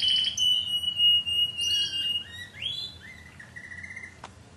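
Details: Timbrado canary of a 2009 Greek club team delivering long sustained whistled tones, steady then shifting to lower pitches, with a brief rising slur and fading held notes; a faint click near the end.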